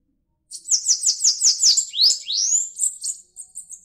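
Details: Bananaquit song opening with a rapid series of high, sibilant descending buzzes, then breaking into lower rising sweeps and a final thin, tinkling high trill; no other sounds.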